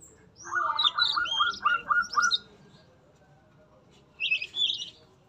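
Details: A captive-bred male Yellow-rumped flycatcher (Ficedula zanthopygia) in a breeding cage sings a quick run of clear whistled notes with higher trills over it; after a short pause comes a brief, bright twittering phrase.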